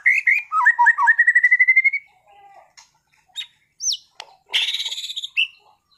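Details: Competition-grade white-rumped shama, a caged bird from Sragen, singing varied material: rapid chattering notes flowing into a steadily rising whistled trill, then scattered sharp notes, a sweeping whistle and a fast buzzy rattle.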